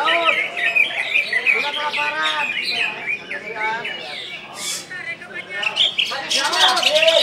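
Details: Caged greater green leafbird from West Kalimantan in full competition song: dense, varied chattering phrases with rapid whistled and mimicked notes, quick trills and slurred squeaks running continuously, with sharp high bursts near the end.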